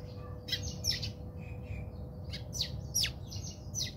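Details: House sparrows scuffling in a backyard in South Africa, uttering quick shrill chirps and sharp downward-slurred notes in tight clusters, about a dozen calls in a few seconds.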